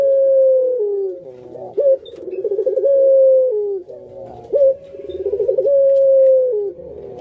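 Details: Kept Barbary dove of the pelung type cooing: a long, level, drawn-out coo held about a second, a short rising upturn, then a throaty rolling section, the whole phrase repeating roughly every three seconds.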